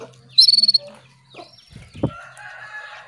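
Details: Female canary's call to a male, meant to arouse him into singing: a brief, rapid, high trill of seven or eight pulses near the start, later a dull knock and faint chirps over a low hum.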